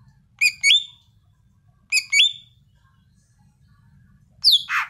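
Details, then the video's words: Greater green leafbird (cucak ijo) in lively song: two bright whistled notes with rich overtones, a pause, a matching pair, then a sharp descending squeaky note and a harsh burst. "Kicau burung cucak ijo yang gacor"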